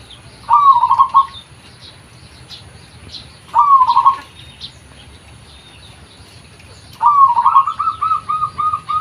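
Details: Local zebra dove calling, a recording suited as a lure: three phrases about three seconds apart, each a rising note into a rapid rattling coo series; the last runs into a longer string of even beats. Small birds twitter faintly.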